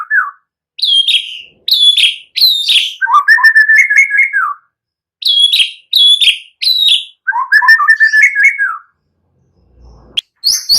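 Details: Singing white-rumped shama used as a lure to stir other birds to sing: loud, high, falling whistles in groups of three, each group followed by a lower, rapid, warbled chatter, the sequence repeated twice.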